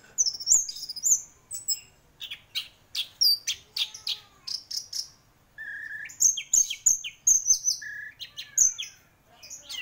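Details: Orange-headed thrush (anis merah), called a champion songster, pouring out rapid strings of short high chirps and whistles, with a lower sustained note near the middle and a brisk, almost rhythmic delivery.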